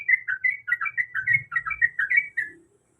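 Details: A female sooty-headed bulbul calling to a male in breeding season gives a brisk sequence of paired, bubbly whistled notes for a few seconds, then falls quiet.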